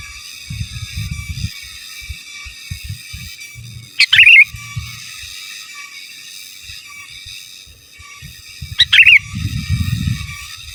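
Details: Sooty-headed bulbul singing gacor in giras and menggaruda style, used as master song: two short chattering, warbled bursts roughly five seconds apart, with low rumbling background noise and a continuous high electronic tone.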